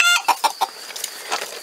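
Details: Roosters living free outdoors in the trees beside an 8 m² hen cage in Montcuq, Lot, France; the owner thinks they want into the cage. A harmonic note trails off, then three short mid-pitched clucks about a sixth of a second apart, over faint rustle.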